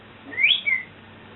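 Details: Pet African grey parrot that swears and imitates burping and farting produces one clear, pure whistle lasting under a second, rising steeply then falling away, against a quiet room.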